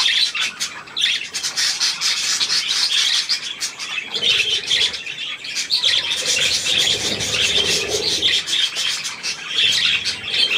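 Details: Budgerigars and young birds at millet, 3 May 2024: busy, unbroken warbling chatter of many high squeaks, clicks and short chirps, with occasional soft wing flutters.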